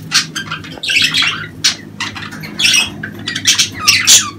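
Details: Breeding-season budgerigars chatter nonstop in a rapid, scratchy warble of overlapping squeaks and rasping bursts, loud and continuous throughout, with a steady low hum in the background.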